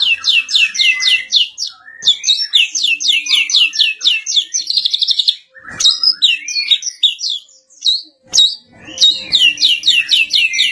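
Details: Exotic mottled (blorok) Medan white-rumped shama delivering a dense, fast song of high, rapidly repeated chattering and trilled phrases, broken by a few sharp clicks.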